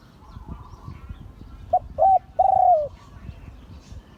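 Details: Spotted dove crowing in the Thai 'liu tan' style, from an auspicious-line bird: a short note, a slightly longer one, then a long drawn coo that slurs downward at the end, over quiet background hiss.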